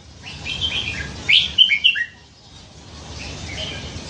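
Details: Caged red-whiskered bulbul, hand-caught as a fledgling by a canal and kept nine months, known for its many varied songs: a short burst of bright, quick whistled notes rising and falling, with a faint murmur in the background.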